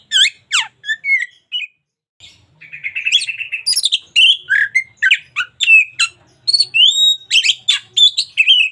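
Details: Local white-rumped shama singing: sharp descending whistles first, a brief pause, then a rapid rattling trill and a long string of varied chirps and clear whistles.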